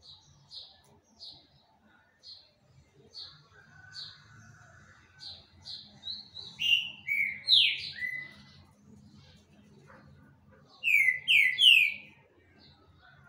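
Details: Green-winged saltator in full song: a string of short, evenly spaced high whistles, then a rich phrase of loud downslurred notes, a pause, and a closing trio of strong falling whistles.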